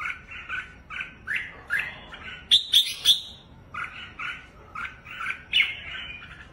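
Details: Displaying red-whiskered bulbul hopping on its perch and fanning its wings, delivering repeated chirpy two-part warbles punctuated by a burst of piercing high notes midway.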